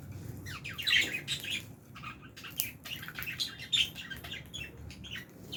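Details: Several Fischer's and albino lovebirds chirping in their aviary while eating, a busy chatter of quick high-pitched chirps and sharp squeaks in irregular bursts, some louder notes standing out, with little background noise.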